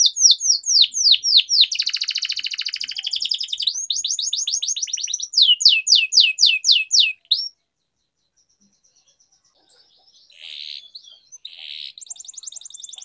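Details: Canary on a training recording for young birds: rapid repeated falling sweeps and a dense buzzy roll for about seven seconds, then near silence, then faint high trilling returns.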